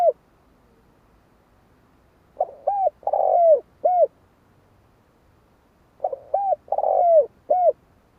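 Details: A spotted dove repeats its four-part coo phrase twice, about three and a half seconds apart: soft start, hollow coo, long buzzy falling coo, brief final coo. Low, mellow tones over near silence.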